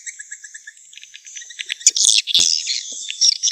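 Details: Swiftlet calls used in the swiftlet nest business: faint, rapid high chirps at first, then a denser, louder burst of buzzy twittering and clicks in the second half.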